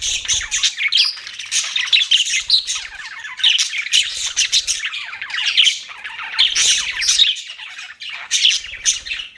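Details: Long run of budgie chirping, pets chattering in rapid squawky and twittering phrases that swell and fade in waves, with occasional low taps beneath.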